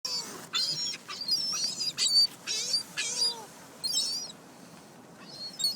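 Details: Flock of gulls scavenging pizza crust outside a car window in Closter, New Jersey; bursts of high, harmonic squealing cries come in quick clusters, with a few lower sliding notes, separated by short pauses.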